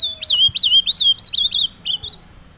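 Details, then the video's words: Ultramarine grosbeak, a kept bird taken outdoors to a scenic spot to sing, giving its carapuça-style song: a fast run of about ten slurred, rising-and-falling whistled notes, each bending sharply upward before dropping, delivered in a continuous two-second burst. "Azulão Carapuça"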